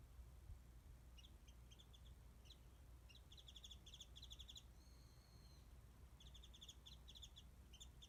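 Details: Distant wild warbling white-eye in a tree by a garden feeding place where mandarins are given, recorded with a smartphone; sparse chirps build into rapid high bursts, a level thin whistle sounds midway, steady low hum beneath.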